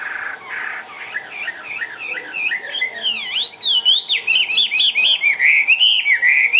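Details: Chinese hwamei, a caged bird hopping and dancing, sings a run of loud whistled phrases that start softly, swoop up and down, then become quick repeated slurred notes and rapid warbled trills near the end.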